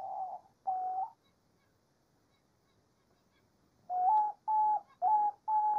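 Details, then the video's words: Diamond dove in nature giving steady, pure, mid-pitched coos. Two notes open, then a quiet gap, then a run of four evenly spaced coos, each slightly rising at the start. "CANTO DA ROLINHA DIAMANTE NA NATUREZA"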